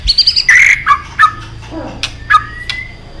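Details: White-rumped shama (murai batu) song used as a lure to prompt other birds to sing: short clear whistled notes, a high twittering phrase, then a level whistle, with a low background hum.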